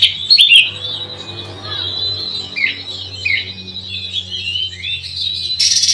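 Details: Oriental magpie-robin (kacer) in a song style said to rile rival birds: thin, high warbling with short whistled slurs and a few sharp notes over a faint low hum.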